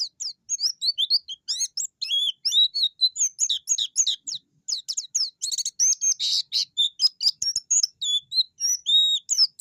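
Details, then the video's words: Energetic white-eye 'ngerol' song, the bird seeking an opponent: a continuous torrent of very high, quick twittering notes and squeaky slurs, with a harsher buzzy burst near the middle, almost no gaps. "Pleci gacor ngalas ngerol mencari lawan!!!"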